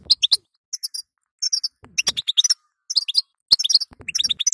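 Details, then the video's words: Female European goldfinch calls meant to stimulate a weak male: short bursts of bright, high twittering notes in clusters separated by brief silences, with a few sharp clicks and a soft low thump. "هذا ستسته وبتبته المخصصه للحسون الضعيف"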